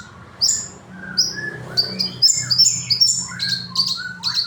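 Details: Crimson sunbird delivering sharp, high, thin notes and short trills, with some lower whistled phrases mixed in, over a faint background hum.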